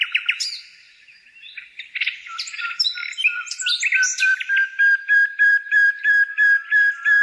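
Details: Bird song opening with mixed chirps and squeaky twitters, settling into a steady series of short, even whistled notes repeated about every half second.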